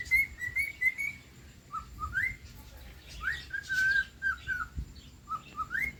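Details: Cockatiel singing: clear whistled notes in short bursts, opening with a run of quick level whistles, then upward-sliding slurs and a longer wavering whistled phrase midway, ending on a sharply rising whistle, with a faint steady high-pitched tone behind.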